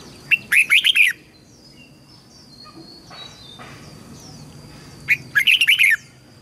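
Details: Red-whiskered bulbul voice-training song, played to help young birds learn and push wild-caught birds to sing: two quick bursts of bright, warbled, chattering notes about four seconds apart, with faint background hum.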